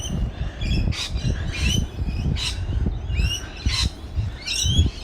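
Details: Early morning on a coastal walk on the mid north coast of New South Wales, fast-moving rainbow lorikeets give shrill, screechy bursts about once a second, several overlapping, over a steady rumble of wind and a person walking.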